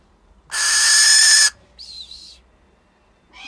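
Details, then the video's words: Hand-reared barn owl, raised from two weeks old, chatting with her falconer in a call that is uncommon for barn owls: one harsh, hissing screech of about a second, a shorter, thinner wavering note, then a third sound starting. "Barn Owl call"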